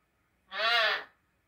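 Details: Three-year-old pet eclectus parrot talking, saying "yes, hello?" in Korean; a single loud, voice-like harmonic utterance lasting about half a second, rising slightly then falling, against a quiet background.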